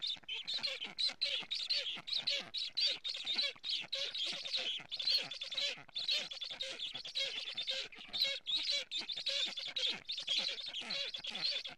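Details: Black stork chicks in Estonia, live nest camera footage from 11:15 on 15 July 2017, begging and then defending the nest from a strange stork; a long series of rough, hissing, scraping bursts, rapid and unbroken.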